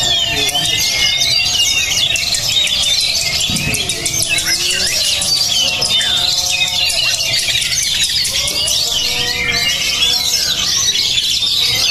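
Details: Oriental magpie-robin (kacer) described as highly spirited, singing a dense, continuous run of high whistled phrases, rapid chirps and sweeping notes, with a steady low hum behind it.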